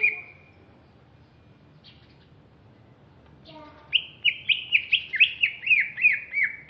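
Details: Greater green leafbird from Alas Purwo, Banyuwangi, East Java, a large bird of fierce bearing, giving a brief whistle, a pause, then a fast series of about ten sharp, repeated descending chirps.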